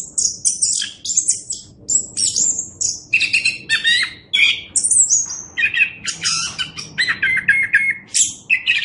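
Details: Orange-headed thrush singing in a master recording meant to teach other birds: a dense, continuous stream of high chattering notes, trills and thin whistles that switch rapidly in pitch and pattern with almost no gaps.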